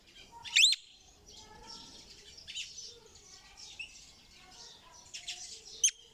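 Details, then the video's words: Parrot giving sharp, shrill squawks at about half a second and again near six seconds, with soft chattering notes and faint twittering in between. "เสียงนกแก้ว.Suab yeeb kub(leeb nkaub)"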